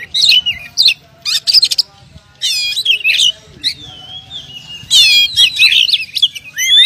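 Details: Oriental magpie-robin, champion contest bird, delivering loud bursts of sweeping whistles and harsh chattering notes, with a drawn-out level whistle mid-clip and a low hum beneath.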